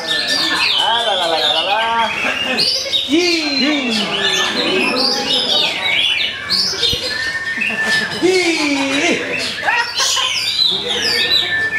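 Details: Two prize-winning caged Oriental magpie-robins, first and second place, sing against each other at a bird-singing practice contest in Indonesia. Rich, varied whistled phrases, sweeping slurred notes and chattering trills overlap constantly, with other bird voices and faint speech behind.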